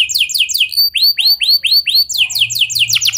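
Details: Canary with a clear rolling song, meant to get other canaries singing: fast high buzzy trills, then a run of slower looping whistled notes about four per second, then another rapid roll.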